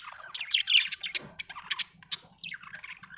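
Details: Happy budgie chattering in a steady stream of high, scratchy chirps and squeaks with uneven rhythm, over a faint low hum.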